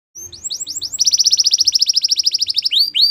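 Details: Belgian canary singing: a few rising whistled notes, then a fast buzzy trill of rapid repeated pulses, ending in upswept whistles.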